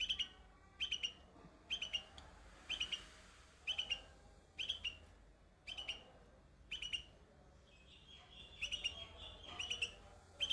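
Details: Young bulbul singing on white flowers: short bright chirp clusters of two or three notes, repeated about once a second with uneven spacing, over a quiet background.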